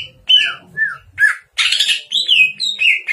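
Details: Greater green leafbird singing richly, a recording meant for training other birds to sing and for luring: varied slurred whistles sliding down in pitch, followed by a burst of harsh buzzy notes and more descending whistled phrases.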